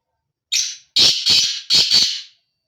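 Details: Male black francolin giving its breeding call: a single drawn-out harsh note, then two quick pairs of loud, rasping, grating notes, the whole phrase lasting under two seconds against a silent background.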